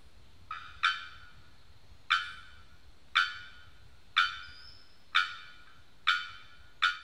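Bearded bellbird giving about eight loud, explosive, metallic 'bock' notes, roughly one per second, each ringing briefly, over a faint low background hum.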